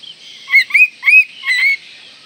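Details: Oriental magpie-robin in breeding condition, provoking rivals: four rich, slurred whistled notes in quick succession, each sweeping up and down, with a quiet hiss behind.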